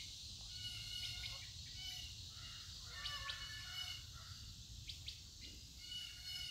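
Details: Outdoor nature recording of several birds calling: scattered brief chirps, sharp downslurred notes and short whistled phrases come irregularly over a constant shrill insect hum and low-frequency rumble.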